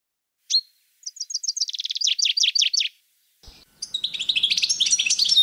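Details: Male European goldfinch kept as a pair with a female canary, recorded in 2012: a sharp chip, then a run of rapid repeated twittering notes, a short pause, and a bright, jangling burst of high trills and tinkling phrases.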